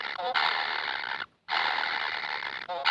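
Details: Young kingfishers begging, said never to have enough food: two long, dense, scratchy buzzing rasps, split by a short silence.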